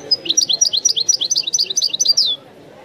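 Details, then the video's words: European goldfinch (widani) singing a fast, even run of bright twittering notes, about eight per second, ending in a drawn-out descending buzzy note, then quiet background hiss. "chant de chardonneret تغريد الويداني الأصيل"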